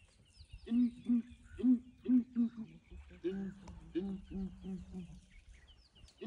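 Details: Morning calling by a group of ground hornbills, with elephants approaching: low resonant hoots delivered in quick series, one bird slightly higher-pitched than the other, phrases overlapping, sparse distant chirps in the background.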